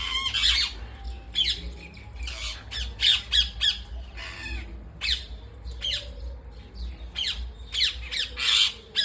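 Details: Pet parrots squawking indoors at home: loud, harsh, raspy bursts coming in quick irregular clusters, some short and clipped, others drawn out, with a constant low hum underneath.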